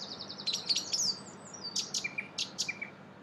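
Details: Song thrush in Brussels, Belgium, in April, singing bright, high phrases: a quick run of sharp repeated notes, then varied whistles and a lower note given twice.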